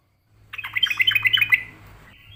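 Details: Yellow-vented bulbul in full song, answering a rival aggressively: a quick bubbly run of liquid chattering notes, about one second long, followed by a faint fading tail and a low background hum.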